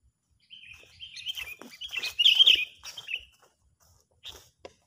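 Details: Sooty-headed bulbul, an agitated, full-of-anger calling bird used as a lure for trapping; dense run of bright chattering, whistled notes for about three seconds, loudest in a burst at the middle, then two short chirps near the end.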